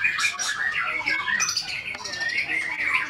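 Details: Murai batu, or white-rumped shama, giving a harsh, squawky burst of rapid notes followed by whistled slurs and a sustained, strained high phrase.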